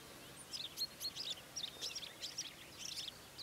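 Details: Red-backed shrike: a busy string of sharp, high chirps, squeaks and brief whistled slurs delivered in quick uneven clusters, with soft steady ambient hiss behind.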